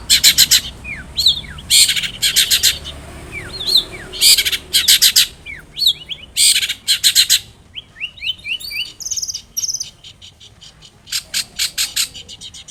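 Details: Lively Long-tailed shrike song for prompting another shrike to answer: harsh rasping bursts alternating with sharp upslurred chirps and whistled notes, a varied, busy mimicking medley throughout.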